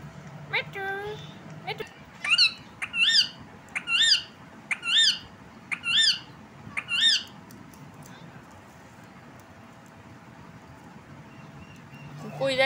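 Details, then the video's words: Desi ringneck, a rose-ringed parakeet kept as a talking and dancing pet, gives a run of seven sharp, harsh squawks, roughly one a second, then falls quiet. A short human voice is heard at the start and end. "Desi Ringneck Talking Parrot"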